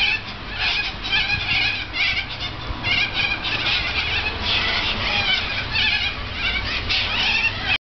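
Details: A large flock of corellas feeding in a Norfolk Pine right beside an apartment balcony screeches without pause, a dense wall of harsh, grating, overlapping squawks with no quiet gaps.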